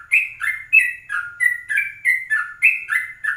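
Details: Yellow-vented bulbul singing in a morning recording made at 04:30, used as a lure for other birds: a fast run of bright, warbling whistled notes, rising and falling, repeated in quick bursts about every third of a second.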